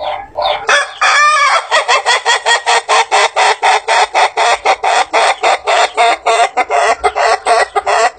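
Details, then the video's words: An Ayam Ketawa ("laughing rooster") long-crowing breed rooster from South Sulawesi, Indonesia, gives a long, laugh-like crow: a fast run of hoarse, staccato notes, about four a second, lasting eight seconds. "ROOSTER CROWING - longest rooster crow ever!"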